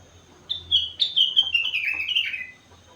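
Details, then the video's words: Four-month-old sooty-headed bulbul filled with rengganis and cucak wilis song: one continuous two-second phrase of bright whistled notes sliding gradually downward, with a sharp note starting again at the end. "Burung Kutilang gacor isi rengganis cucak wilis"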